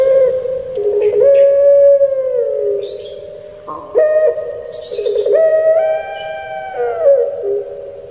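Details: Kept Barbary dove of the pelung type, prized in Java, Indonesia, giving its "crying" song: long steady mid-pitched coos with rich overtones, with sudden upward jumps and gliding bends, several phrases in a row.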